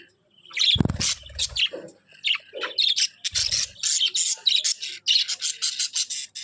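Budgerigars chatter in a busy stream of high, scratchy chirps and warbles.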